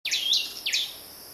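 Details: Chubb's cisticola (Cisticola chubbi chubbi) in Nyungwe Forest National Park, Rwanda, March, gives two high, sharply slurred notes, the first longer and swooping, the second a quick upward flick, over faint steady hiss.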